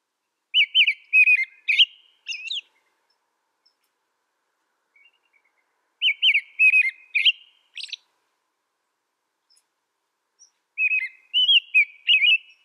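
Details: Three separate caroling phrases from an American robin, spaced roughly five seconds apart, each a string of four to six liquid whistled notes ending in a thin high squeak. The background is otherwise silent.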